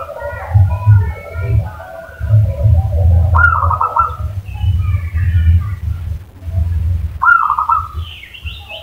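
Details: Lure call of the zebra dove, used to prompt a reply: two brief, rapid, rattling coo trills about four seconds apart, with other faint chirping birds higher up and a constant low rumble throughout.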